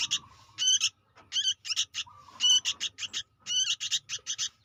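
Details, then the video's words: Young sooty-headed bulbul producing quick rasping chirp clusters, two to four notes each, over a low rumbling background and an intermittent flat tonal whine. "suara anak burung kutilang gacor"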